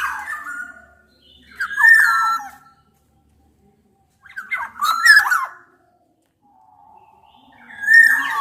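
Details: Black-naped orioles, local Javan and Sumbawa males and females mixed as a lure, challenge a rival: rich whistled phrases alternate with a harsh, chattering burst, each phrase separated by a second or two of silence.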